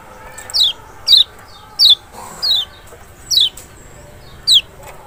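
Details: Special lure recording of the Lemon-bellied white-eye, large Lombok or Sumbawa race Zosterops chloris maxi, played to make a silent bird respond; six thin descending whistles, each brief and falling in pitch, given about every 0.7 seconds.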